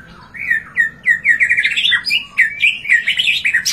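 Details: White-rumped shama (Copsychus malabaricus), song: to provoke a silent bird into singing.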